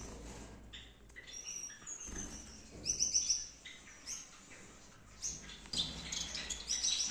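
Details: Gouldian finches kept in a breeding aviary setup in Peshawar, KPK, giving short high chirps and thin whistled notes from several birds, with a few sharp bursts and quieter stretches between them.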